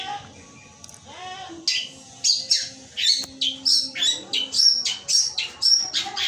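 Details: Long-tailed shrike singing its 'gereja petir' material: scattered sharp, high chirps and squeaks that build into a fast run of short, bright notes, some rising and some falling.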